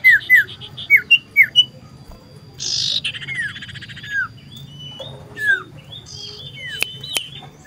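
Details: Common iora singing loudly while seeking a rival, recorded 27 December 2022: a quick run of falling whistled notes, a brief harsh buzzy burst, then scattered sliding whistles over a faint low background hum.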